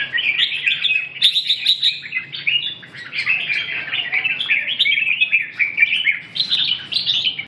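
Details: Red-whiskered bulbul pouring out a long, lively warbled song of quick chirpy and whistled notes, densely packed with only tiny breaks, some higher ringing accents early on.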